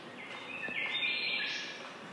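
A lyrebird imitating other birds' calls with bright, high whistled notes that slide and run together, over a faint background hiss.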